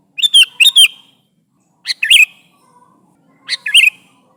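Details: Sooty-headed bulbul calling its companions: a quick pair of bubbly whistled phrases, then two more short chirped bursts with sliding bright notes, spaced over about four seconds in quiet surroundings.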